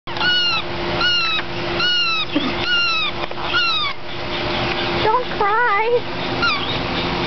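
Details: Cuckoos in the Discovery Cove aviary on 8/5/09 give whiny, arching calls, adorable little noises rather than crying, about every three-quarters of a second, then lower wavering notes, over a steady mechanical hum and faint voices.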